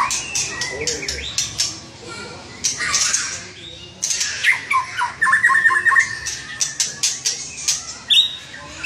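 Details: Murai batu, or white-rumped shama, singing gacor: harsh squawking notes, then a rapid buzzy trill of repeated notes, followed by sharp clicks and a final high whistle.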